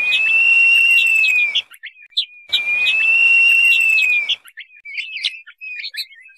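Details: Lure call of the crested partridge (puyuh sengayan): two long, level whistles, each about one and a half seconds and dipping slightly at the close, separated by a short gap. Scattered sharp chirps of other small birds fill the pauses.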